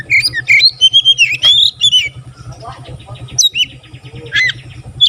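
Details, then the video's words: White-rumped shama, a lively singer said to stir other shamas into song with one burst; varied whistled phrases and sharp notes between 2 and 5k, steady low mechanical hum underneath, a faint voice possibly present. "burung kacer gacor buka ekor sekali bunyi langsung bisa merangsang kacerlain gacor"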